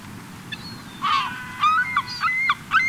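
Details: Several gulls flocking on a Cotentin beach at the end of summer, 7 September 2024, give scattered short yelping calls and a few drawn, slightly rising notes over a steady low rumble of surf.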